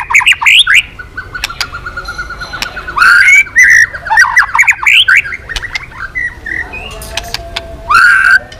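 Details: A white-rumped shama is goaded into full song with continuous tail flicking. It gives loud bursts of tumbling whistles separated by a quieter long trill, with sharp clicks between phrases.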